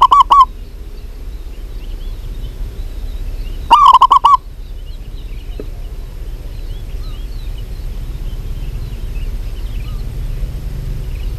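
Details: Female zebra dove, a local bird, calling for a male: a clipped burst of cooing at the start, then a fuller run of five fast, rolling coos, followed by several seconds of quiet hiss.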